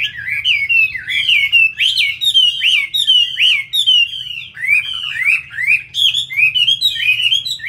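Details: Vigorous song of a caged Chinese hwamei, a fighting bird in Hanoi, Vietnam: looping whistled phrases, each dipping then rising, repeated steadily about once a second, bright and loud over a faint background hum.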